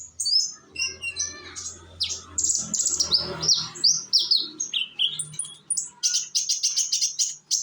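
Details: Young Indonesian konin sunbird singing as a lure; a varied, fast sequence of high sliding whistles and squeaky notes, closing in a rapid stuttering trill, with a low hum.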